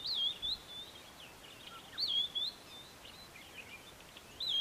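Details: A White-browed scrub robin at Kap River Nature Reserve near Port Alfred, South Africa, in April 2019, gives highly repetitive short, high whistled phrases that rise then drop, about every two seconds, with faint chirps from other birds.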